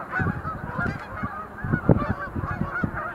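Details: Sandhill cranes in display leaps at the Montezuma National Wildlife Refuge visitor center, November 2020; dense overlapping honking calls with a few louder rattling notes near the middle and low thumping noise.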